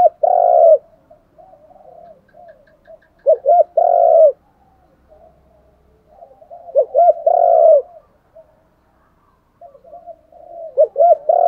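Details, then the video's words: Spotted dove decoy calls, male and female, used daily to provoke birds in training: repeated phrases about three and a half seconds apart, each paired short rising notes leading into a long raspy coo, with quiet murmuring between. "tiếng chim cu gáy thúc đấu. cu gáy kích bổi nhanh nổi gù, chim cu mồi giọng hay dùng tập bổi"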